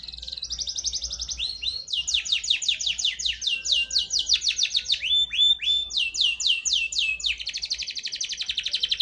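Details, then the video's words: Grey canary singing a loud, high-pitched song of rapid repeated downward-sweeping notes grouped into shifting trill tours, each tour changing speed and pitch, with a brief steady whistle near the middle and a very fast rattling tour at the end. "تغريد رمادي ساده"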